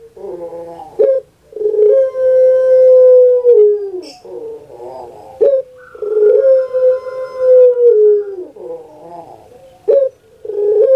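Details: Two full coo phrases from a kept puter pelung dove, each a gurgling start, a long steady hoot lasting about two seconds that sinks at the end, and a brief catch between phrases.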